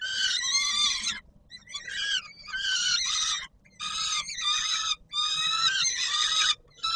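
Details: On the Palace of Culture and Science in Warsaw, Poland, 17 July 2022, a peregrine falcon at feeding time utters repeated harsh, hoarse screeches, some long, some clipped, with brief silences.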